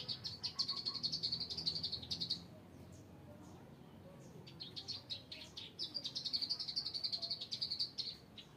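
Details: Bar-winged prinia in rice fields giving rapid high trilled bursts of thin chirps, two long runs separated by a quieter pause, over a constant low rumble.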